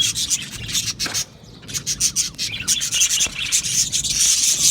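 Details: Aviary flock of budgerigars singing and chirping: a rasping, scratchy wall of high chatter that drops briefly after one second, then resumes in rapid overlapping chirps.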